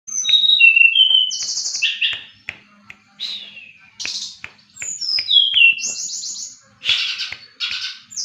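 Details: Brown-chested jungle flycatcher (srdc) from Bali in lively song. Varied clear whistled notes at shifting pitches, interspersed with buzzy bursts and short clicks, delivered in phrases separated by brief pauses.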